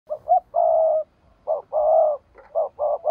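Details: Spotted dove kept as a decoy bird to lure wild rivals, giving low cooing phrases: two short rising notes followed by a long steady coo, repeated about twice in three seconds, with a quiet background.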